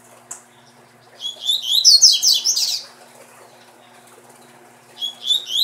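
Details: Double-collared seedeater kept as breeding stock delivers a long, dense, rapid run of chattering, twittering and slurred whistled notes lasting over a second. After a pause it starts a new phrase. A steady low hum sits underneath.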